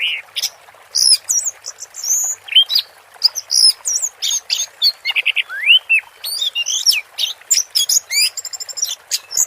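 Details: Orange-headed thrush singing in the teler style during water therapy: a nonstop rush of high, varied whistles, rising and falling slurs and sharp chips packed densely together, with almost no pauses over nine seconds.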